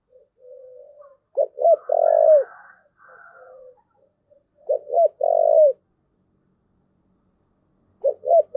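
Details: Thúc gù cooing of a spotted dove: three phrases, each two quick clipped notes and a long, level, slightly falling coo, spaced about three seconds apart, with faint softer notes between them.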